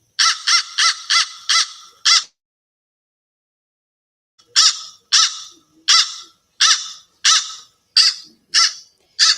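American Crow giving harsh caws: a quick burst of six, a pause, then eight slower caws about every two-thirds of a second.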